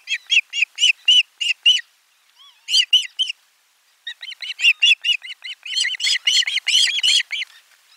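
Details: Osprey at nest camera 4 on 12 July 2022 during a lunchtime fish delivery: loud series of high, arched whistled chirps repeated rapidly, a brief pause, then faster, denser chirping building toward the end.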